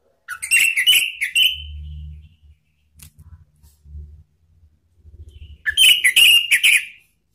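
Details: Orange-headed thrush calling to provoke rivals: rough chattering notes slurring into a drawn whistle, low rumbling handling noise between, then a second buzzy chattering burst.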